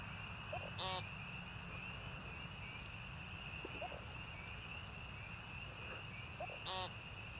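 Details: An American woodcock peenting at Young Conservation Area, northern Missouri Ozarks, on March 28, 2015 gives two short, harsh, nasal peents about six seconds apart over a steady, high insect-like drone and faint low rumble.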